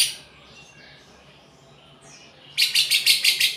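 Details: Lovebird with a cucak jenggot imitation style: quiet faint whistles, then a sudden series of six loud, rasping chirps repeated rapidly near the end.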